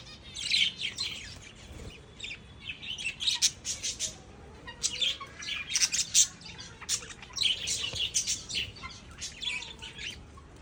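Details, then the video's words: Several lovebirds chatter in bursts of shrill, squeaky chirps and rapid twittering, pausing briefly between runs, seemingly calling at once. Lovebird. "Lovebird Singing & Chirping Sounds"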